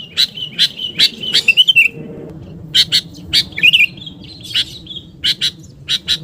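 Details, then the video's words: Sooty-headed bulbul used for luring, singing hard: a string of rhythmic sharp chips around a rippling, gurgled trill, then a pause and renewed chips with another short warble. "SUARA PIKAT BURUNG KUTILANG GACOR"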